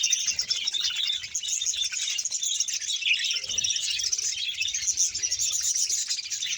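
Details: Colony of about a hundred budgerigar pairs in Bahawalpur giving continuous shrill chirping and chattering, many voices overlapping into a steady high chorus.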